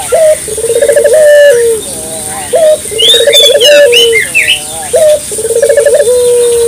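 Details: Clear local puter dove coos used as a lure: low, pulsing phrases that end in a held, slightly falling note and repeat about every two seconds, with chirps and twitters from other small birds in the background.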